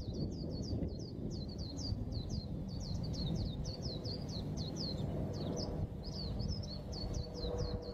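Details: Continuous white-eye song of rapid, high, bouncing chirps repeated without a break for several seconds, over a steady low-frequency drone.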